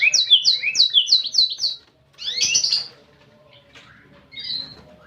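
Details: Canary singing in the lively 'gacor' manner with a unique 'cengkok' phrasing: a quick run of six repeated high downslurred whistles, a pause, then a burst of buzzy notes and a short whistled phrase.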